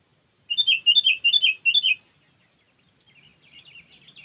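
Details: Sooty-headed bulbul lure call, cengkeram style, used in Lampung for trapping bulbuls: a rapid run of bright, bubbly chirped notes for about a second and a half, then softer distant twittering.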